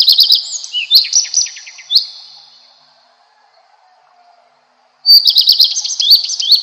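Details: Redstart song opening with a brisk, high twittering phrase with several sharp descending notes, trailing off into a long silence before a loud, dense burst of rapid chirps.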